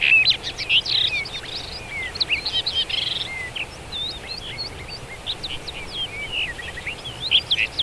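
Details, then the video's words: Common rock thrush singing in Shahdag National Park, Azerbaijan: a continuous, varied warble of quick whistled notes, slurred rising and falling phrases and short trills, fairly high-pitched and fluent, with steady faint background hiss throughout. "Дрозд пестрый каменный (Monticola saxatilis) - Common rock thrush"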